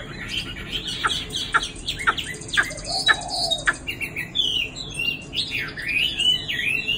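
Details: Caged Chinese hwamei in Dinh Cong, Hanoi, Vietnam, nearly two seasons old, fairly tame and moulting with many pin feathers, opening with sharp clicking notes and then breaking into bright whistled phrases that slide up and down.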